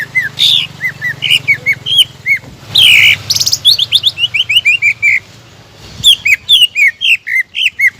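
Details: Persistent singing of a greater green leafbird, played to provoke rivals: varied whistled notes mixed with loud rasping bursts near three seconds, then a steady stream of quick rising and falling whistles after a brief lull.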